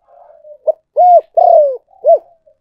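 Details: Spotted dove decoy call: soft wavering low cooing, then a short note, a rounded coo, a long descending coo with a faint buzz and a closing coo, followed by a brief murmur.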